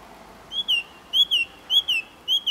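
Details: Song thrush (Turdus philomelos) singing a clear, whistled two-note phrase, each note dipping then rising, repeated four times at an even pace over a quiet background.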